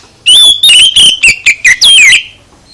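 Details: Oriental magpie-robin song used to provoke other birds into answering: a loud two-second string of clear whistled notes, some held steady and some sliding downward, over a quiet background.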